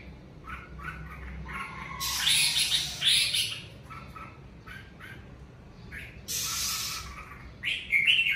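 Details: Red-whiskered bulbul from the covid season mixing short whistled notes with two long harsh, noisy bursts and a closing bright warbled phrase.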